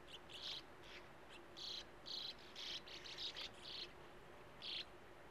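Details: Sand martins at a nesting colony by a gravel-pit lake, young waiting at the burrow mouths; distinct harsh, buzzy notes given singly and in pairs, spaced by short pauses.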